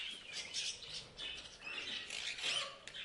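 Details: A short burst of parrot chatter: overlapping high, scratchy chirps and squeaky notes running together.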